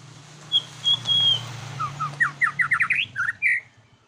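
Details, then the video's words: White-rumped shama song meant as a lure to provoke other birds: a thin high whistle, then a quickening series of short rising notes ending in two bright warbled phrases, over a low steady hum. "Pancingan bunyi Murai batu!!"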